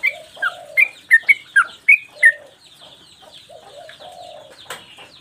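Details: Sooty-headed bulbul in full song with tail play, kept as master recording for training caged songbirds. Eight quick, loud, sharp chirps spill out in two seconds, then softer warbling notes and a brief rustle follow.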